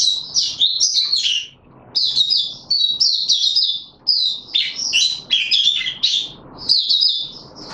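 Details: Caged white-eye pushed on form delivers long runs of fast, sharp, high twittering song, broken by brief pauses about every second or two.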